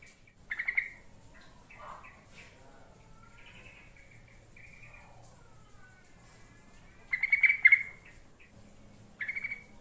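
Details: Lure recording of yellow-vented bulbul song meant to draw replies: short bubbly chattering bursts at the start and again near the end, with faint whistled and warbling notes between, over a light steady background hum.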